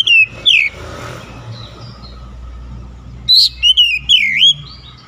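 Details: Oriental magpie-robin in morning sunlight giving loud whistled notes, two early phrases then a burst of swooping, looping whistles near the end, with a steady low hum of traffic underneath.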